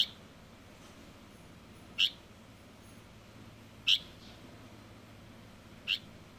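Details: Juvenile Light-vented bulbul with sparse, sharp high chip notes about every two seconds, separated by quiet pauses.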